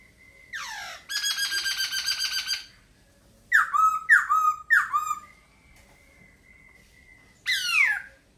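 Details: Laughingthrush song opening with a buzzy, trilled rattle lasting over a second, followed by three rapid downslurred whistles and a final harsh sweeping note, separated by a thin sustained tone.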